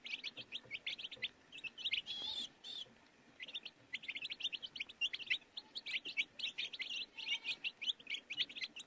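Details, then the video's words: Chorus of baby chicks with fast, piercing peeps in dense clusters, broken by a short lull about three seconds in before resuming. "Baby Chicks Chirping Sounds"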